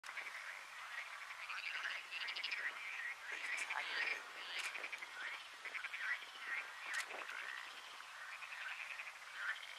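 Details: Baillon's crake (Zapornia pusilla) in Agia Varvara, Cyprus, in April 2023, giving dry, frog-like rattling trills in a near-continuous run, with sharp clicks and what may be other frog-like callers in the background.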